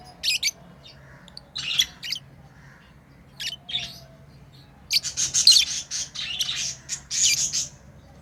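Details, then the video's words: Tame lovebirds at play, chirping in scattered shrill bursts, single sharp notes early, then a dense run of rapid screechy chirps in the second half; low hum in the background. "Lovebirds playing & Chirping sounds"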